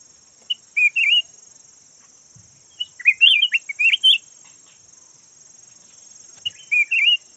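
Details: Caged yellow red-whiskered bulbul kept as a decoy bird, giving short warbled, rolling phrases: a pair near the start, a longer burst of tumbling notes mid-way, another pair at the end, over a steady high electronic-sounding whine.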